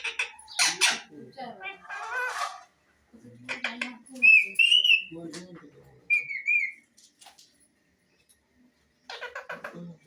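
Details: Parrot vocalizing indoors with scattered harsh chattering bursts, low muttered speech-like sounds and two clear wavering whistles, separated by short silent pauses.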